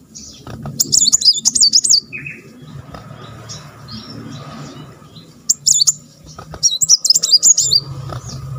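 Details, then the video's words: Tail-wagging Kolibri Muncang (brown-throated sunbird) delivering tight "roll rapet" shooting song: shrill, fast, wavering trill bursts near the start and again toward the end, quieter chips in between, faint low noise behind. "Muncang tembakan roll rapet"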